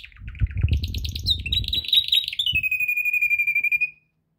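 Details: Canary singing for training; low thumping noises at the start give way to rising chirps and a long, even, rolling trill that fades out before four seconds.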